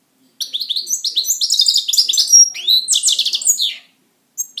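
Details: Caged pet European goldfinch singing a long, rapid, jumbled song of high twitters, trills and buzzy sweeping notes, ending briefly before another phrase starts.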